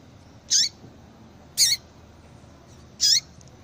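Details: Three bright, high chip notes from a female yellow-bellied seedeater, each dropping at the end, about one to one and a half seconds apart. The calls are used to stir a male into song.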